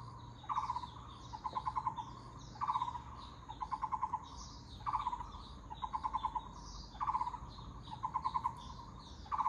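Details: Taiwan barbet repeating hollow, throbbing phrases of quick low notes, roughly one burst every second, the first notes of each pair louder, over a steady low hum, faint distant birds and hiss.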